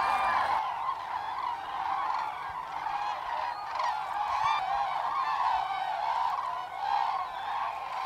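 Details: Migrating common cranes in a large flock on autumn passage along the Lahn valley route over Hesse, Germany, 25 October 2021: dense overlapping trumpeting calls, many birds calling at once in a continuous chorus.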